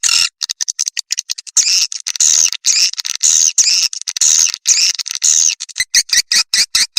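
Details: Lure sound for attracting swiftlets: high, rapid twittering and chirping, starting with scattered clicks, swelling into long buzzy bursts, then breaking into short sharp chirps near the end.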